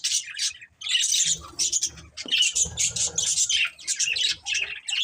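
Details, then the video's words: Breeding budgies pour out loud, scratchy high chirps in uneven clusters, with muffled low bumps and rustles in the background. "Beautiful Budgies Chirping Sounds"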